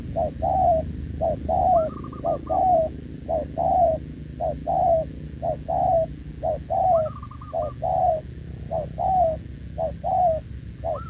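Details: Wild-caught, short-legged spotted dove cooing continuously alongside a decoy bird, recorded 6 November 2024: paired coos, a short note then a longer slurred one, repeating roughly once a second, with a faint higher warble twice.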